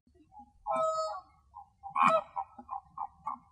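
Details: Flamingos looking for food in the morning in Greece: scattered nasal honks, one longer drawn-out call and a sharp loud honk, then a run of short clipped notes over a low rumbling background.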